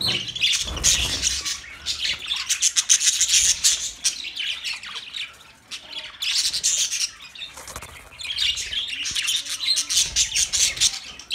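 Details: Lively budgerigar chattering in long runs of rapid, gritty high chirps and warbles, about two or three notes per second, pausing briefly twice before resuming.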